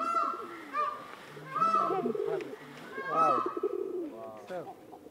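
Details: Peacock giving its mating call: repeated loud, harsh, ringing wails about every one and a half seconds, each with a brief rise then level tone, over low cooing and murmured voices nearby.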